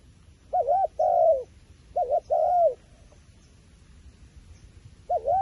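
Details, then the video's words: A wild pigeon's cooing: two paired phrases, each a quick rippling note followed by a longer falling coo. A pause follows, then the start of another phrase, with a faint low rumble behind. "ប៉ះហើយលលកព្រៃបណ្ឌិត ធ្នាក់ធ្វើដាច់ខ្យល់ | This wild pigeon is very smart, afraid of the phone camera"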